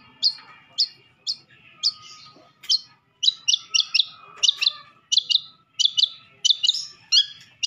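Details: Madura long-tailed shrike singing a full masteran of fill-in phrases: sharp high chips and short twittering notes, singly and in quick pairs, about one or two a second, over a faint low tone.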